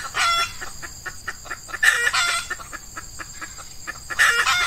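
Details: Junglefowl calling at an early-morning lure set with an F1 female decoy, Ramadan breeding season, hot day; rapid dry clucks in runs between two sharp, loud squawking bursts, over a continuous shrill insect background.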